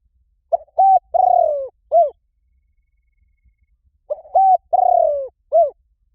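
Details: Spotted dove cooing to attract wild doves: two identical phrases three and a half seconds apart, each a short note, a flat coo, a long purring downward coo and a brief arched ending.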